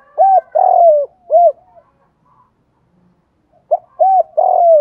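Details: Spotted dove giving its lure call to attract wild doves: two repeated phrases of deep, rounded coos, each mixing short arched hoots with one longer sliding note, separated by a pause of about two seconds, with no other sound.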